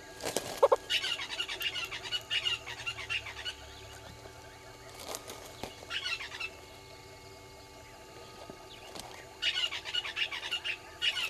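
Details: Red-billed hornbills beside Gowrie dam, Djuma Game Reserve, South Africa, at 06:08 on 20 March 2022: two long runs of rapid chattering clucks at start and end, a quieter gap between, plus a sharp flapping or knocking noise.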